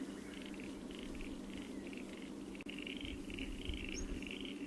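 Spotted pardalote giving soft, high piping notes in quick little groups, repeated throughout over a steady low hum.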